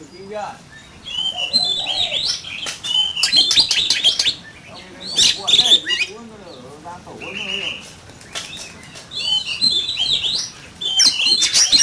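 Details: Oriental magpie-robin in a singing duel, uttering bursts of rich whistles and harsh chatter separated by quieter gaps, with voices of people talking in the background.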